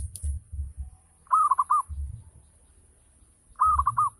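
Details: Ngayer-style song of a local zebra dove, a lure to set other doves calling: two bursts of four rapid rolling coos with soft trailing notes, accompanied by low muffled thuds.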